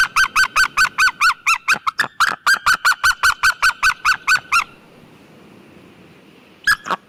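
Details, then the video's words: Rapid barking yelps from a white-tailed eagle, some twenty evenly spaced notes over four and a half seconds, then near silence, with one final burst of two notes. "Sea white tailed eagle sound effect and call!"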